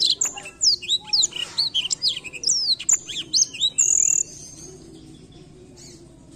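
Blackthroat singing a fast, varied, high warble of sweet slurred whistles and trills for about four seconds before falling quiet.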